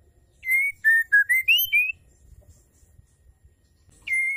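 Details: Female white-rumped shama calling to stir males to sing: a rapid series of pure whistled notes stepping down then rising over about one and a half seconds, a pause, then one more flat whistle.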